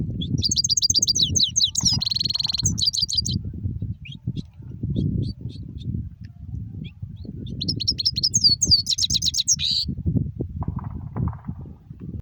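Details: European goldfinch singing in two bursts of fast, high, liquid twittering, each ending in a buzzy, nasal rolling note, with a pause of scattered soft notes between. A steady low rumbling noise runs underneath throughout.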